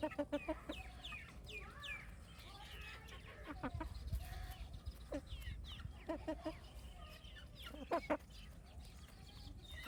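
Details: Baby chicks on a farm, with frequent short high chirps sweeping downward, spread across the recording over a noisy low background and a few tapping sounds.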